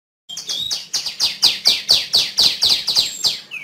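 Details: Female tiểu my songbird singing a fast series of high, sharp downslurred whistles, about two per second, each note sliding down from a bright peak, steady and unaccompanied.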